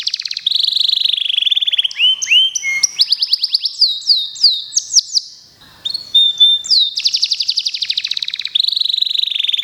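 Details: Contest-bound local canary singing a long, varied song: buzzy trills, falling notes, and runs of sharp rising strokes. A brief pause, then more rapid trilling.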